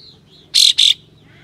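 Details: Kapas tembak with tail spread, giving rough, sharp 'besetan' shots meant to provoke other kapas tembak. Two loud, harsh, broadband bursts in quick succession over faint background chirps.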